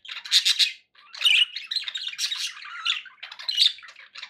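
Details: Bursts of budgerigar chatter from pet birds: sharp chirps, a short pause, then rasping warbles, squeaks and a low whistled slur.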